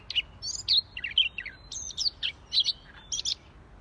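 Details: Siberian rubythroat gacor song, si leher merah: bright, choppy high notes and short whistled bursts in quick succession, each phrase a cluster of sharp chirps.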